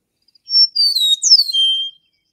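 A Western Meadowlark sings a short, bubbly, flute-like phrase: clear whistled notes sliding downward, then a gurgling jumble ending in a long steady whistle.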